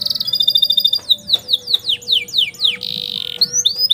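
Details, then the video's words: Canary singing a master song for tutoring young birds: quick high trilled notes, a run of downward-slurred whistles repeated about every quarter second, a brief dense buzzy roll, then upward-sweeping whistles. "KENARI NGEROLL PANJANG UNTUK MASTERAN KENARI PAUD"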